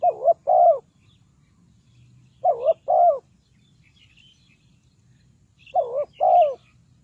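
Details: Decoy spotted dove used for trapping birds. Three separated phrases of soft, hollow cooing, each a quick double-lobed coo followed by a longer falling coo, with pauses of about two seconds between phrases and faint high chirps in the background.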